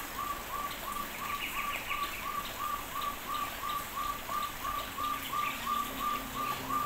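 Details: Crested partridge kept in an aviary, calling with a long, regular series of about twenty short whistled notes, near three per second. Soft higher chirps from other birds and a continuous rain-like hiss run underneath.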